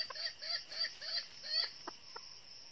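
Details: A red junglefowl decoy hen from northern Vietnam, used to trap wild junglefowl, gives a quick run of soft arched clucks about three per second, then two sharper clicks, over a high insect drone.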